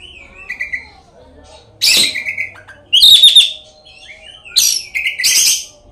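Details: Oriental magpie-robin, caged, its song played as a lure for other magpie-robins; soft whistled notes, then three separate loud bursts mixing buzzy rasps and clear whistles, faint background hum.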